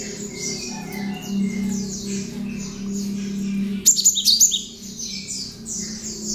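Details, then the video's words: Tame cinereous tit, hand-raised, singing its ciblek (prinia) mimicry as master song: high twittering over a low steady hum, then a loud run of quick shrill notes near 4 seconds. "BURUNG GELATIK GACOR JINAK ISIAN CIBLEK COCOK BUAT PANCINGAN ATAU MASTERAN BURUNG"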